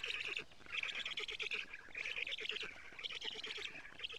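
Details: Nest of black storks in Estonia, 07:47 on 14 June 2017, female bringing lampreys to the young; camera recording. Rough, raspy calls in rapid pulses, grouped into bursts of under a second.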